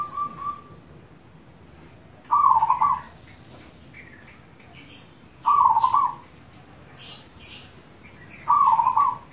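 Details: Zebra dove, local type, singing eagerly as lure audio for other doves, delivers three rolling staccato coos roughly three seconds apart, each about half a second, while small birds chirp faintly at higher pitch.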